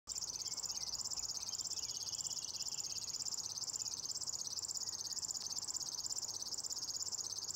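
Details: A river warbler (Locustella fluviatilis) sings in a lupine meadow at Nolby on 23 June 2021: a high, steady, insect-like buzz of rapid rhythmic pulses like a sewing machine, with faint other birdsong behind.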